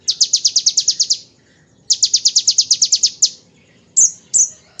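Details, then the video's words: Bar-winged prinia in ngebren shooting style, recorded as a tutor for magpie-robins and shamas: two rapid high trills of about ten notes each, then a series of sharp separate chips. "Konin Tembakan Ciblek Ngebren untuk Masteran Murai dan Kacer"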